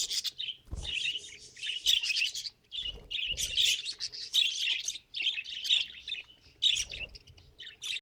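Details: Budgerigar, a pet, giving fast continuous chatter of squeaky chirps and scratchy warbled notes in close phrases, with a few soft low thumps between bursts.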